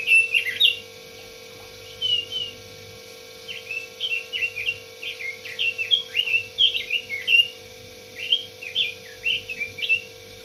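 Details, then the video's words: Red-billed leiothrix delivering several warbled phrases of rapid, clear whistled notes that rise and fall, spaced by short pauses, against a continuous low hum. "Suara burung robin.."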